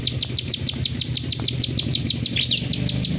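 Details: A plain prinia keeps up its 'klik' clicking song: crisp high ticks roughly three per second, a short slurred note partway through, and a low rumbling hum underneath.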